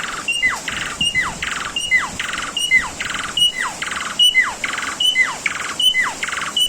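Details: Asian pied starling master song used to train cage birds: a steeply falling whistled slur followed by a buzzy, harmonic rasp. The pair repeats about every half second in a steady loop, with faint background hiss.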